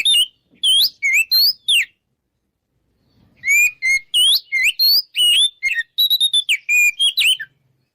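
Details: Ngeplong-style song of the Oriental magpie-robin, or kacer, meant to spur rivals to fight. A fast burst of looping whistles, a silent pause of about two seconds, then a long varied stream of clear whistles and chips.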